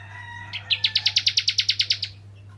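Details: Crystal-type bar-winged prinia in lively voice, played to lure other prinias: a two-second run of about fourteen sharp, evenly spaced chips, high and bright, over a constant low electrical hum.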